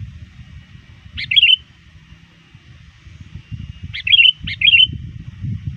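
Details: Trained sooty-headed bulbul lure bird calling rivals before dusk prayer time, still vocal: a single bubbly chirping phrase, then after a pause two quick phrases in succession, above low background rumble.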